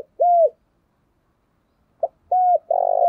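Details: Spotted dove lure call in the 'thổ đồng' style: a single falling hoot ends one phrase, then after a pause comes a quick note, a clear hoot and a long buzzy coo.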